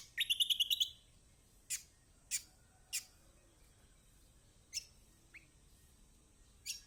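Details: Kecial kombok, a Lombok white-eye, used as a lure so that silent birds start singing: a rapid high trill of about ten notes lasting under a second, followed by five or six sharp, isolated downward chirps spaced irregularly over a quiet background.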